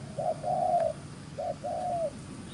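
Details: Wild-caught field spotted dove cooing in the quick gù xiết style: two phrases, each a short low note followed by a longer, smooth coo that dips slightly at the end.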